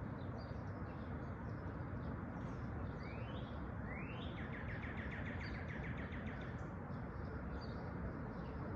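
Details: An unidentified bird gives two rising whistled slurs followed by a rapid rattling series of short notes, partly masked by constant heavy low-pitched noise.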